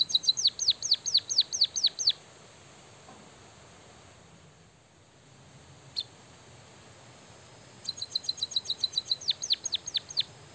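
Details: White-headed munia whose song carries canary phrases: a rapid series of high down-curving chirps, then a long quiet gap with one lone note, then a fresh burst of quick ticks and hooked chirps.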